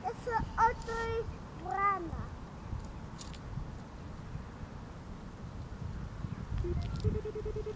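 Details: Black-throated loon at Vlachy, Liptovský Mikuláš, Slovakia: short harmonic notes, then a pair of arched, croaking calls, and a last flat note near the end, over a steady low background rumble.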